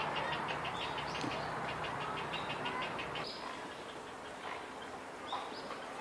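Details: Grey Heron chicks begging at a crowded city-park nesting colony in Koto Ward, Tokyo, 20 March 2022: fast rhythmic clattering notes, about three per second, fading after three seconds, then scattered higher calls over constant background noise.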